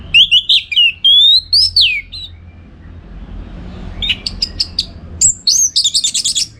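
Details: Orange-headed thrush in energetic tutor song for contest birds: looping, slurred whistles rising and falling, a pause, then rapid clusters of thin high chirps, repeated densely over a low hum.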